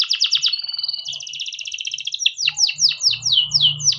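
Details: Male canary in continuous song, used to train young canaries: a quick stuttering trill gives way to a steady buzzy roll held for over a second, then a series of descending swept notes, with a low hum at the end.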